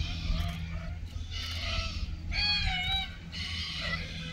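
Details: Red-tailed black cockatoos mating at Keep River National Park, Australia, in June 2023. Drawn-out rasping calls, a few with a clear wavering tone, sound over a constant low hum.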